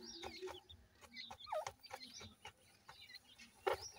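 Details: Black francolin chicks, apparently kept, giving short high peeps and rising-falling chirps in quick irregular succession, mixed with sharp clicking and scratching noises close by.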